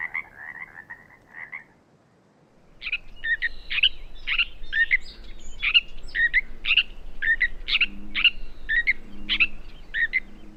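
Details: Gray Catbird whose repertoire includes imitations of a Pacific tree frog, sora rail, Wilson's snipe and western wood pewee: a short croaky, frog-like stretch, a silence, then a steady string of sharp, varied chattering notes.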